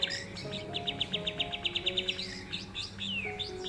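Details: Tame white-rumped shama kept as a companion bird: a fast run of about a dozen bright, evenly spaced high notes, then sweeping whistled slurs, over low steady tones in the background.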